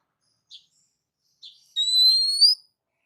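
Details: Oriental magpie-robin, a kacer song used for training other birds: two short soft chips, then a long, clear, high whistle rising slowly with faint overtones, ending abruptly.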